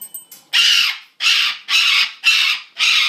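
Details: Pet parrot screaming indoors: five loud, harsh, broadband squawks, each about half a second long, repeated in quick succession after a few brief faint notes.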